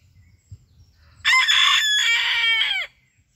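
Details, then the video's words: A Sabelpoot rooster, one of two, gives one loud, harsh crow of about a second and a half, holding steady, then breaking and dropping at the end, against a quiet background. "the roosters crowing"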